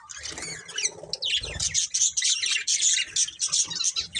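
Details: Pair of budgies kept as a breeding pair, chattering continuously: busy, high, buzzy twitters and quick warbled notes tumbling over one another, with soft low thumps and rustling in the background.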